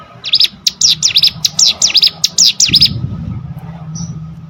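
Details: Hill prinia song used to train competition birds: a dozen sharp, high down-up chirps in quick succession, then quiet with a low hum and a faint high note.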